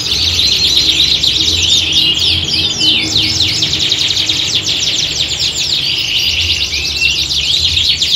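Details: Chorus of competition-trained canaries singing in a contest-like atmosphere; fast rattling trills, buzzy rolls and sweeping whistles tumble over one another continuously, with occasional pure whistled notes and a soft low background hum.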